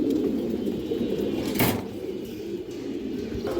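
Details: Pigeons of several fancy breeds, including flight-trained birds and youngsters offered for sale, kept at a loft in Jatrabari; continuous low overlapping coos from many birds, with a sharp broadband knock around the middle.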